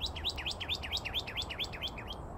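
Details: Lone northern cardinal singing near a pond in a recreation area in North Phoenix on February 9, 2024; fast series of clear slurred whistles, each dropping then rising, about five per second.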